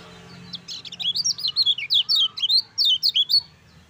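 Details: High, lively Lemon-bellied white-eye song, the 'ciak ciak jos' style meant to rouse reluctant birds into singing: fast strings of sharp, zigzagging whistled notes about three to four per second, steady and loud throughout.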